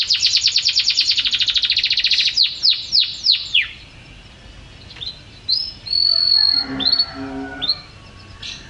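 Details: Champion canary singing: a fast buzzy trill gives way to a few deep falling sweeps, then softer level whistles and lower scratchy notes after a quiet gap.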